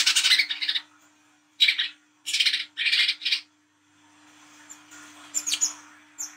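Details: A brown-throated sunbird gives harsh, scratchy chattering bursts, each about half a second long, in quick runs with short pauses over a faint steady hum; a night-time recording used as a lure call for sunbirds.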